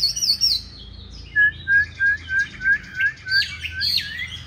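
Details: Chinese hwamei with 'Lục Đậu' eyes in fighting song: high slurred whistles, then a regular series of short clear notes roughly three per second, closing with tumbling warbled phrases.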